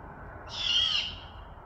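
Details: Western Washington great horned owl: a lone, grating, hiss-like screech near half a second long, loudest midway and tapering off, set against a soft steady low hum.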